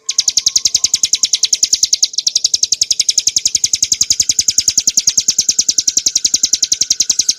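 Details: Song of the Bar-winged prinia, Prinia familiaris montana, as masteran material for caged birds: a rapid, continuous trill-like series of sharp high chirps, very even in pace and loudness.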